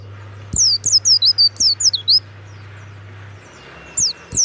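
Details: Kept warbling white-eye singing loudly: bursts of high, thin whistled notes sweeping downward in quick runs, a cluster of about eight then a pause and a short pair near the end, over a low steady hum.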